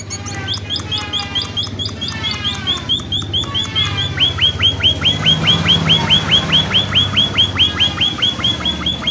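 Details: Munia calling as lure audio to prompt answering calls from other munias. Jumbled twittering opens, then a steady train of sharp, high, down-slurred chirps repeats roughly twice a second over a low background hum.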